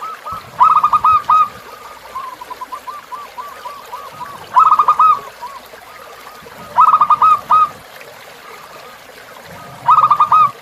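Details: Zebra dove song as tutor material for caged birds, river sound behind: four loud phrases of fast tumbling coos ending in a held note, roughly every two to three seconds, with faint cooing between.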